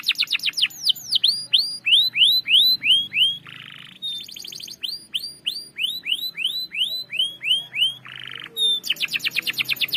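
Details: Canary lure bird singing a long rolling song: series of downward-curved whistled notes repeated about three per second, broken by short dense buzzy rolls, then a rapid high trill at the end.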